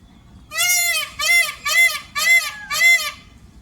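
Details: Indian peafowl calling during its dance display on a roof: five loud, nasal, richly harmonic wailing calls in quick succession, about one every 0.6 seconds, over a quiet background.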